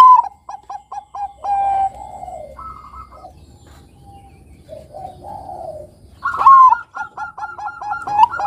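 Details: Perkutut Bangkok, a zebra dove strain, singing steadily as a lure for young birds: opens with a rapid row of short coos, then soft drawn-out coos, then a loud upswept note and another fast staccato run.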